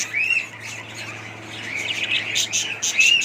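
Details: Budgies chattering with quick chirps and squawky notes, opening and closing with bright rising whistles, over a constant low electrical hum.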